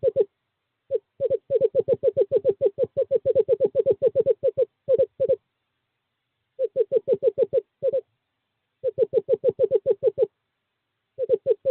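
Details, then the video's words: In courting season a male eastern screech owl summons a female to nest box 5, 2/11/2023. Long bouncing series of low, hollow notes, roughly three per second, broken by short pauses into several runs. "Male screech owl calls female to owl box 5"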